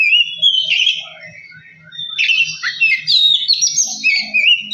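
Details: Oriental magpie-robin lure song to make birds sing and grow aggressive: sweet warbling phrase, a pause, then dense varied whistles and chatter over a faint low hum.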